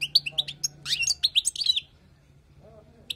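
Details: Wild European goldfinch singing for tutoring: a quick series of twittering chirps and slurred notes over a low hum, then near silence with one final chirp.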